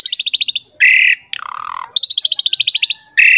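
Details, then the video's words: Lure recording of an Asian pied starling's 'gacor mompa' song for young birds of both sexes: two bursts of rapid high chattering trill separated by a harsh rasp and a falling buzzy note. "PANCINGAN JALAK SUREN GACOR MOMPA FULL MATERI MEWAH UNTUK JALAK MUDA"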